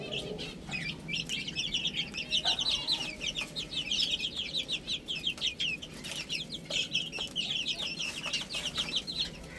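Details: Young chicks pecking at spinach, a steady stream of thin, high cheeps from many birds at once, rising and falling in loudness, with occasional light taps and clicks.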